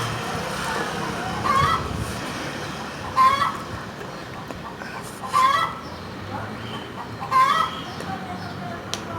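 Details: A cackling hen gives four drawn-out, nasal squawks, each with an upward twist, roughly two seconds apart, over a steady low background hiss.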